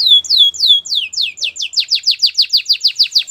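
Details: A white canary sings a training melody. Sweeping downslurred whistles speed up into a quick, even series of bright chirping notes, roughly six per second.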